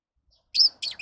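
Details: Lovebird giving two short, high, harsh chirps about a quarter second apart, the second a double note, against an otherwise silent background.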